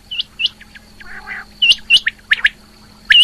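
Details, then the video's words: Calling female rain quail. Bright, short chirps are scattered among rasping, burry notes and ringing double chirps near the end. A faint hum and a high whine persist. "Female Quail Calling | Rain Quail Calling"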